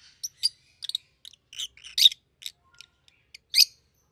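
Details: Rosy-faced lovebirds, a yellow and a green one with red heads, give a scatter of thin, sharp chirps and squeaky notes, a few louder shrieks standing out.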